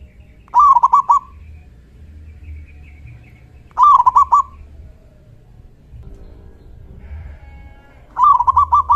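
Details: Zebra Dove lure call, a local bird with a big 'kung' voice prompting other doves to reply: three phrases of rapid cooing notes, repeated roughly every three and a half seconds, faint hum beneath.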